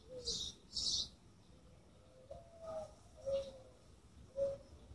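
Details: Birds chirping: two bright high chirps at the start, then quieter lower whistled notes, some slightly rising, repeated roughly once a second over low background noise.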